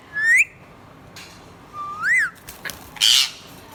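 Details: Budgerigar calling: a rising whistled chirp, then a long arched whistle, then a loud harsh squawk burst, with brief clicks between.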